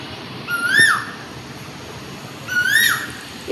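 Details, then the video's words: Morning call of an Asian koel perched in a peepal (ashwattha) tree, heard as "ku ku". A pair of loud, pure rising whistles sounds two seconds apart against constant background hiss and faint rumble. "এই অশ্বত্থ গাছটায় দেখুন একটা কোকিল পাখি বসে আছে আর সামনে কু কু করে ডাকছে।"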